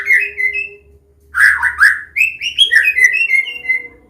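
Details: White-rumped shama of the Medan type giving a combination song meant to teach young birds: a fluted whistled phrase, a pause, then rich warbled notes followed by a run of rising and level whistles.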